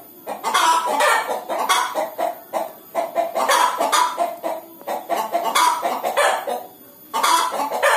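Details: Hen about to lay an egg, clucking in loud repeated bursts of harsh, rasping notes, several runs of quick clucks separated by short pauses.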